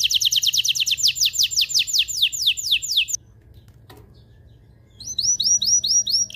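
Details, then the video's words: Canary singing a strong, excited song meant to stimulate males and ready females for mating: rapid trains of descending whistled notes, a break of near silence, then rising arched whistles. "تغريد طائر الكناري هائج , لتجهيز الاناث و الذكور للتزاوج والغناء"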